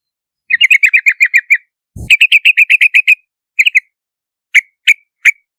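A Yellow-vented bulbul gives fast bursts of eight or nine bubbly chirps, then a few spaced single notes. A brief low thump breaks in once.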